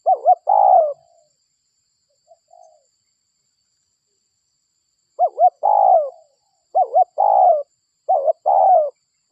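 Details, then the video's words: Local spotted dove call used as a lure to attract other doves: phrases of two short hooting notes followed by a longer, falling coo, given in groups separated by a pause, in otherwise quiet surroundings. "Pikat Suara DERKUKU Lokal Gacor RAJA PIKAT Ahlinya Bikin Semua DERKUKU DATANG"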